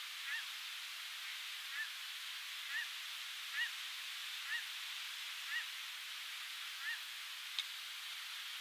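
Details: Black oystercatcher nesting on the Oregon coast in June 2018, adults exchanging nesting duties; about eight short, sharp whistled notes, each rising then falling, given roughly once a second over a steady roar of surf.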